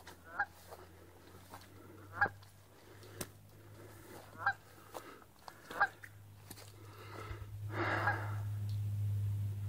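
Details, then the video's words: Canada geese at the south end of Fish Lake, Utah, giving repeated nasal honks roughly every one to two seconds, followed by a rising rush of wind or movement noise near the end. "Canada Geese at Fish Lake, Utah"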